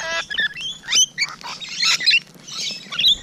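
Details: Close-range Rainbow Lorikeets on a June morning giving squeaky, rising and falling squeals and harsh chatter in short uneven bursts.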